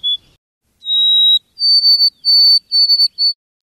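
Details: White-throated Sparrow singing in a backyard during lockdown: pure, clear whistles, a brief note, a long held tone slightly higher, then several higher drawn-out whistles, the later ones broken into quick stutters.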